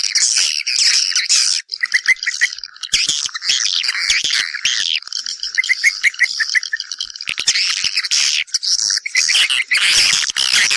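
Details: High, rapid twittering of swiftlets calling mates to nest, sung in stuttering chains of short chirps with a few brief silences.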